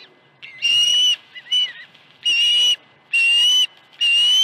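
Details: Osprey at a nest at Dunrovin Ranch, 21 August 2019, on a morning when two fish arrived at 7:05 and 7:31 AM. Loud, high, whistled notes about half a second long, slightly rising, repeated roughly once a second, with one shorter softer note between.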